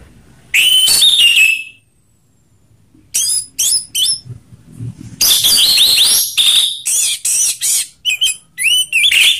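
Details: Orange-headed thrush sings loud, clear phrases in a mix of rough-voiced and slow song, with whistles, harsh rasps and mimicked notes in quick bursts broken by short pauses. Music plays in the background.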